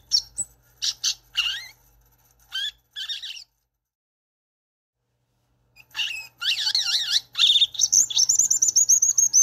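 A violaceous euphonia gives high, scratchy twitters in short bursts, pauses, then breaks into a fast, tumbling warble of trilled and wavering notes.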